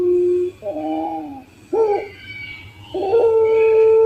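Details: Puter pelung collared dove for cooing contests, from a lure recording: a brief held note, two short quavering notes, then the start of a long steady coo.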